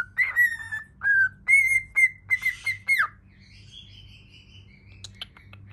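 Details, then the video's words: A cockatiel whistles a tune before a mirror: a sequence of clear, slightly wavering whistled notes in quick succession, then a soft, thin, high drawn-out whistle and a few faint ticks, with a low hum throughout. "COCKATIEL HAPPY SINGING IN FRONT OF THE MIRROR"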